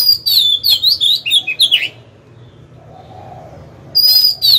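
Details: Singing Oriental magpie-robin used as a decoy to provoke rival wild birds into fighting: two seconds of fast whistled warbles and chips, a silent gap with low hum, then a fresh bright whistled phrase begins.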